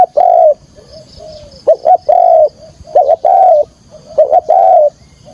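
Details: Spotted dove used as a decoy to lure wild doves for trapping, giving a full calling song: two quick short notes, then a long, mellow, slightly falling coo, repeated three times over about five seconds.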